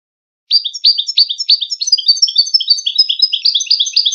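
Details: Goldfinch contest song in the wedani style, for teaching young goldfinches and hybrids: a steady stream of high chirps, roughly three per second at first, quickening into a dense rolling twitter.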